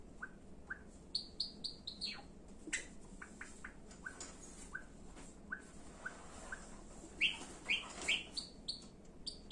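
Java sparrow giving short, high chirps and clicks in quick bursts, with a run of brighter bell-like notes near the end; steady faint room hiss beneath.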